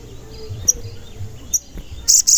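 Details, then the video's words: Crimson sunbird (sogon), which often gives 'cuit cuit' notes, in a lure recording for wild or kept sogon: two sharp high chirps, then two short bursts of fast shrill trilling at the end. "Pancingan Sogon Agar Bunyi dan Emosi"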